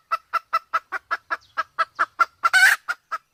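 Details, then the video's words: Red junglefowl from Sumatra, male with a female in heat, a hunting-lure recording; evenly spaced clucks about five per second, with one louder, rougher squawk near the end. "suara ayam hutan Sumatra || jantan betina kombinasi betina birahi"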